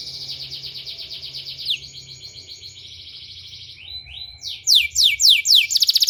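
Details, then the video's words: Canary therapy song for training other canaries: changing tours, first a dense buzzy roll, then quieter rattling phrases, ending in loud separate downward whistles and a quick trill, all over a steady high whine and faint low hum. "suara terapi kenari ampuh"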